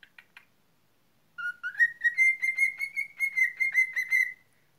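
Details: Cockatiel kept as a pet gives a long whistled phrase that rises at first, then holds a clear, evenly pulsed tone for about three seconds before fading, after a few brief chirps.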